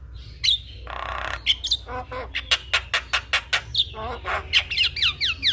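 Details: Javan myna, head-bobbing while singing as a master for young birds: a harsh grating burst, then a regular series of sharp clicking notes about twice a second, ending in rising whistled slurs.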